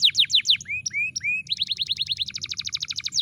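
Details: Canary song played to make a stalled canary sing: falling notes, a few smooth rising whistles, then a quick rattling trill of short repeated notes.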